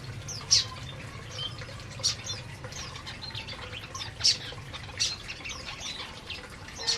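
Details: Aviary canaries feeding make sharp, high, separate chirps roughly once a second, with softer twittering between them and a low background hum.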